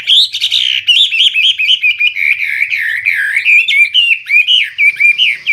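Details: Hwamei, a caged bird (wambi), singing loudly and clearly: a rapid, continuous run of warbled, wavering whistles rising and falling, with sharp high notes layered above.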